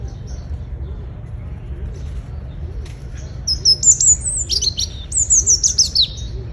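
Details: European robin (Erithacus rubecula) in El Retiro park in early April, in the morning among leafy trees, giving high, thin, tinkling phrases that tumble downward over about three seconds; low background rumble, a brief spoken question before.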